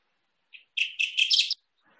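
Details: Kirtland's Warbler, a fairly rare bird, sings a short soft note, then a loud, low-pitched burst of rich chips rising into a bright, emphatic finish, under a second long.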